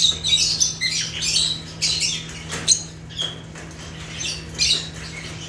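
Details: Rare African lovebirds of genus Agapornis chirping: scratchy, high squeaks and short shrill notes in uneven bursts, one clicking knock near the middle, steady background hum.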